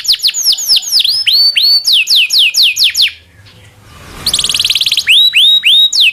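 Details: Domestic canary singing in the 'cuit cuit ngerol panjang' style, a training master for other canaries: fast repeated high descending sweeps, a brief pause of near silence, then a dense buzzy trill and upward-curving whistles.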